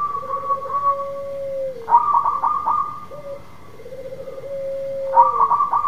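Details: Local zebra dove singing energetically to coax a dove that has stopped singing: clusters of bright staccato notes followed by a long, lower, purring trill that drops at the end, repeated twice.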